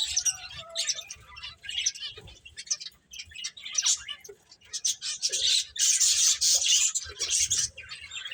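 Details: Playing finches keep up irregular, sharp chirps and squeaky twitters, building to a dense, loud chattering spell toward the end.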